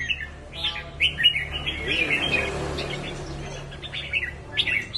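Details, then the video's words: Red-whiskered bulbul singing a run of bright chirpy, warbled phrases, short notes tumbling up and down, with a low steady hum underneath. "Chớp mào 3M/ chao"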